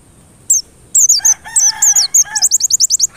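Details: White-eye song played as a lure to make white-eyes sing persistently: a single high note, then sliding high whistles over a lower warbling layer, ending in a fast run of short rising chips.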